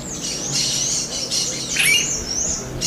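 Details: Smooth-billed ani calling persistently in the wild: a continuous harsh, wavering high squawk with a brief sharp rising note near the end, over faint background hiss.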